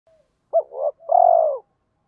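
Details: Spotted dove decoy cooing, male and female, used to provoke trained birds into fighting coos: a short faint note, then a sharp rising-falling coo, a soft burry note and a long steady pulsing coo, in silence.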